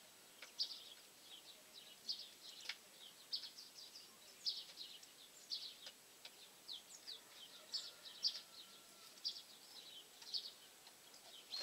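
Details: Eurasian nuthatch at a bird feeder in winter, eating and chasing away tits, archive recording dated 18 January 2016; a steady series of high, thin chirps repeated about every half second to a second, with faint background hiss.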